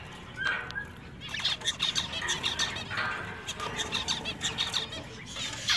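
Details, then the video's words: Pet shop zebra finches, males among them singing: short nasal "meep" notes and rapid buzzy chirps, repeated in uneven clusters over a busy background of other finches. "Male Zebra Finches Singing In A Pet Shop"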